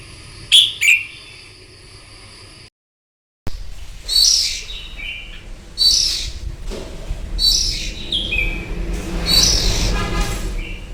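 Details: Red-whiskered bulbul in morning contest song meant to stimulate other bulbuls; repeated sharp whistled phrases roughly every one to two seconds, broken by a brief silent cut, with rustling and low background noise behind.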